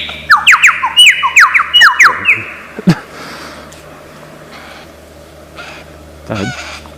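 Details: Mimicking lyrebird of Australian forest with a quick series of descending whistles over about two seconds, a sharp click, then quiet and a distant rough call.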